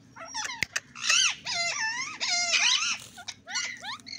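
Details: Ring-necked parakeet mimicking speech: wavering, strongly harmonic syllables that rise and fall in pitch, broken by brief pauses and a sharp click, with a faint low hum underneath.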